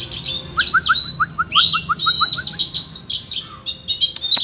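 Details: Forest Oriental magpie-robin dueling in song with rivals: dense, fast stream of high whistles, slurs and buzzy trills, with a series of about ten short, evenly spaced lower notes underneath, ending in sharp clicks.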